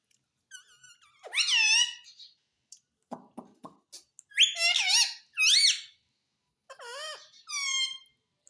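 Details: Pet parrot that speaks mummy and papa: several scratchy, voice-like phrases in quick bursts, with small clicks and ticks in the gaps.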